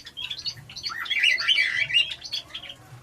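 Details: A captive male Java sparrow in a breeding setup gives a quick, bell-like run of clicking, tinkling chirps, bright and high, over about three seconds, with a faint low hum; only males give this call, females never do.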